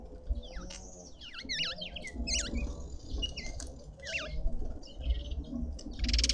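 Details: Red-winged starlings feasting at a feeder in a suburban garden in Pretoria, South Africa, give loud zigzagging whistles that rise and fall sharply, several in quick series, over faint background chirping and low rumble.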